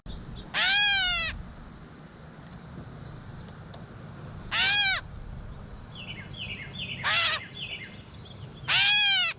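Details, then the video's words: Gray catbird giving four harsh, cat-like mewing calls, each a short nasal note slurring downward, spaced irregularly over nine seconds, with a quick series of thin descending notes between the third and fourth. "Catbird Call | Gray Catbird Call"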